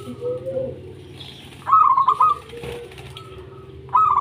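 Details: Local zebra doves (perkutut) singing actively, used as a lure to get lazy doves singing: a bright, rapidly stuttered cooing phrase, another starting at the end, with soft lower coos and a steady low hum between.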